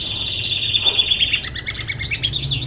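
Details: Caged canary singing a training song meant for other birds: a long steady high whistle, then quick bouncing rising notes in a fast run, with a low background hum.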